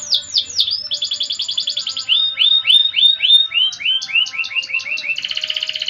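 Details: Canary in full gacor song, cengkok mewah style, sweeping down-slurred notes, a steady buzzy trill, then a run of repeated swooping phrases ending in a rapid dense roll, clear with no other sounds.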